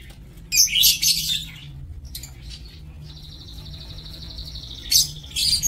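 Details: Lovebirds kept in an aviary cage, recorded 27 March 2024; harsh, buzzy high-pitched shrieks in short bursts near the start and again at the end, a thin steady whistled tone held for about two seconds between them, low background hum.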